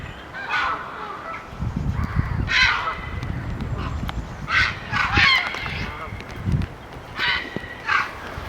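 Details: A Grey Heron at a park in Northern England gives harsh, croaking 'frank' calls, the kind herons make in flight or on landing, about six in eight seconds at an uneven pace, over a low wind-like rumble.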